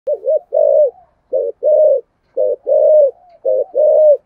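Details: Spotted dove singing a full song in the 'thổ sấm' voice style with a two-part ending: low hollow coos in pairs, a short note then a longer drawn-out one, about one pair per second, in a quiet setting.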